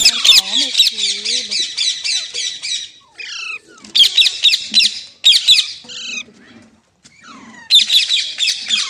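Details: Rapid chattering series of sharp squawks from a green parrot, or mitthu, broken by pauses, with soft low murmuring notes underneath between the bursts.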